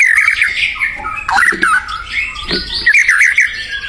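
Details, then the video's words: White-rumped shama in the wild, singing actively: slurred whistles that waver up and down, blurred by echo, with brief low knocks in between. "SUARA UNIT MURAI BATU GACOR DI ALAM LIAR"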